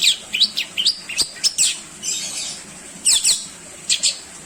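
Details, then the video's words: Long-tailed shrike singing as master material for other songbirds, an uneven run of high scratchy chirps, slurred whistles and harsh squeaky notes, some brief gaps between phrases. "Cendet gacorr full isian... untuk masteran berbagai burung burung kicau anda"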